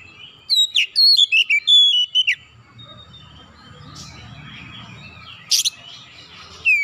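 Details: Oriental magpie-robin calling: a quick run of loud, clear descending whistles at the start, then quieter murmuring notes, a brief sharp click, and one more whistle at the very end, over low hum.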